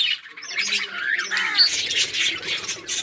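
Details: Chattering budgerigars, 24 July 2023, playing together: a short stretch of warbling chirps, with one clear piping note in the middle and continuous busy twittering.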